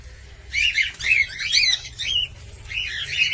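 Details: Cockatiel producing a continuous warbling string of whistled chirps in short bursts roughly twice a second, notes sliding up and down, over faint low hum.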